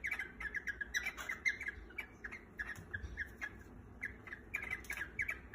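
Cockatiels sing in quick, scratchy chirps and whistled squawks, repeated in rapid bursts as part of courtship.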